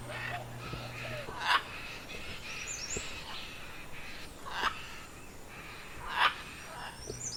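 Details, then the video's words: A Scarlet macaw (Ara macao), as heard in Colombia, gives three loud, harsh squawks spaced a few seconds apart, with softer raspy calls between them over faint background noise. "Así suena una guacamaya bandera."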